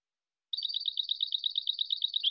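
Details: Goldfinch song from a silvestrismo collection: a fast, ringing string of near-identical high chirps delivered like a continuous rattling trill, steady in pitch and quite loud.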